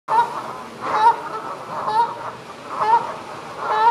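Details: Canada geese honking as they advertise and defend territories or take flight: five nasal honks spaced about a second apart, each with a slight upward inflection, over soft background hiss.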